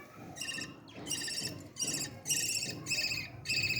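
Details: Young parrot being fed, uttering rapid, raspy, buzzing begging notes in quick irregular bursts, roughly six over four seconds, with low handling noise beneath.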